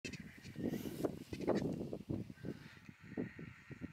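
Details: Vultures, including a small hooded vulture, squabble on day three at a lion kill, with the alpha being kicked off: harsh hissing and grunting low calls in rapid overlapping bursts over scuffling.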